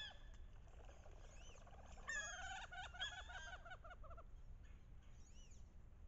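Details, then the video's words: Wood duck hens calling loudly while courting drakes on a bayou in the last weeks of October. Scattered short notes build into a burst of overlapping rising, bending squeals and rapid harmonic notes, then fade to a few high arching whistles. "Wood Duck Mating and Ritual"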